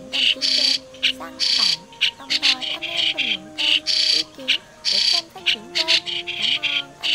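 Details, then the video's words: Lure recording of migratory white-cheeked starling for catching birds: grating, buzzy chatter in bursts of about half a second, separated by brief pauses, accompanied by low steady hum and curving lower slides. "Tiếng Sáo Đá Di Cư - Sáo Đá Đầu Trắng"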